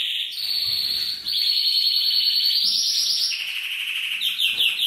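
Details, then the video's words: Male canary singing to stimulate the female to mate: loud continuous trills held at steady pitches, stepping up and down between levels, ending in a few quick rising-falling notes. "أقوى تغريد كناري يحفز الذكر و يهيج الانثي على التزاوج🔥 mâle de canri chantent pour les femelle"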